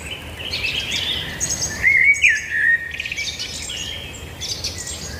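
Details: Birds singing: one clear whistled phrase rises and then drops midway, surrounded by softer high chirps and twitters from other birds.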